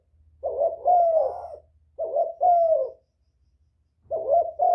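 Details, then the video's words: Spotted dove cooing, used to lure other doves: low hoarse coos grouped in two- and three-note phrases, each note slightly falling, with pauses between phrases and faint low thumping underneath. "Tiếng chim cu gáy kích bổi mau nổi, cu gáy kích mồi hay"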